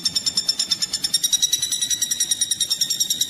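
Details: Common flameback woodpecker, recorded as a training call for magpie robins and other songbirds: a long, steady series of sharp, bright notes repeated about three times a second, with a faint low murmur beneath.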